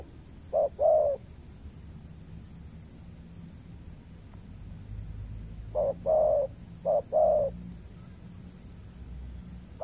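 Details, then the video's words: Wild spotted dove on peatland in Riau Islands, Indonesia, answering a caged lure bird during trapping; two paired coos early, then two more pairs near six and seven seconds, each a short note followed by a longer falling coo, with steady background hum. "PIKAT BURUNG TEKUKUR KETEMU BL PENGUKU TAPI KURANG AGRESIF"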